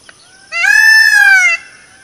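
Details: A single drawn-out, loud nasal wail about one second long, slightly rising then falling, from an Indian peafowl (peacock) wandering in forest.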